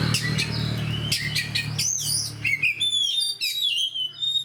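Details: Song of a gacor, fighter oriental magpie-robin: harsh rasping bursts at first give way to clear, sweet whistled slurs, some rising and some falling, with a low hum early on.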